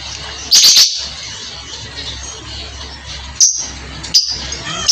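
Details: Javan myna kept company over coffee, giving a rapid triple burst of rasping, noisy squawks early on, then two further single harsh screeches spaced about a second apart, over a steady low background hum.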